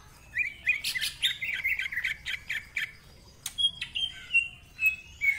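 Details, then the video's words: Greater green leafbird in full 'ngentrok' song with 'isian' fills and a rough voice: a run of quick scratchy chirps, then sharp high whistled notes and clicks spaced about half a second apart. "Cucak Ijo Gacor Ngentrok Full Isian, Nembak Rapet Suara Kasar Isian Mewah"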